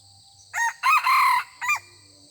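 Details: Wild red junglefowl rooster crowing in answer to a decoy rooster, merely greeting rather than challenging since the birds are not yet aggressive this season; a loud broken crow of three harsh bursts, the middle one long, over a steady insect hum.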